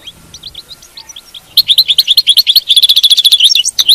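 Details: European goldfinch song in the batbata style, used to keep a captive goldfinch singing: faint scattered high notes, then a loud fast run of liquid twittering and tinkling trills that lasts about two and a half seconds.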